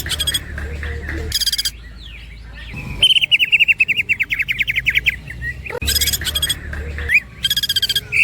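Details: Greater green leafbird giving lively mimicking song, called woodpecker imitation and ngekek: loud dry clicking bursts alternate with a fast run of repeated rising chirps and short whistles, with a quiet hum behind.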